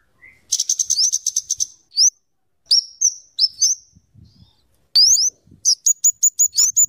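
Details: Lively scarlet-headed flowerpecker (kemade, cabe cabean) with rapid chattering and rapid-fire 'tembakan' notes valued for tutoring: a dense burst of high ticks, then repeated rising whistled slurs and another quick string of sharp notes.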